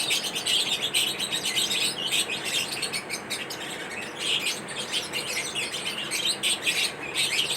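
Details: Lovebirds chirping in a mating ritual. Continuous high, shrill chattering with thin whistled notes woven through. Dense overlapping calls rise and fall in loudness without pause.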